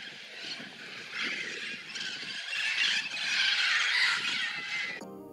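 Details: A huge roosting flock of Red-crowned Amazons (Amazona viridigenalis) at a park in South Texas gives a dense chorus of harsh, screeching calls overlapping continuously, swelling louder toward the end.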